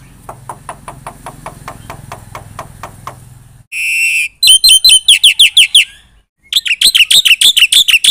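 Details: Black-winged myna singing vigorously with imitated phrases: faint soft ticking at first, then a buzzy droning note, a rapid series of sharp downslurred chirps, a brief silence, and another quick chirping burst.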